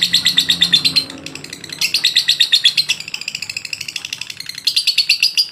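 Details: Lovebird ngotot, a long-duration masteran song: bursts of rapid, shrill chatter with a brief softer dip between them, the notes repeating almost three times a second.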